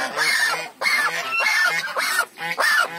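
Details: African geese calling: a series of loud, harsh honks, each about half a second long and rising then falling, repeated roughly every half second with brief gaps between.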